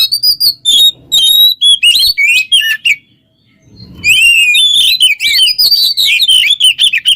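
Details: Oriental magpie-robin song meant as a model for other songbirds: clear whistled notes and buzzy trills, a second of silence after three seconds, then a long flowing run of rising and falling whistles.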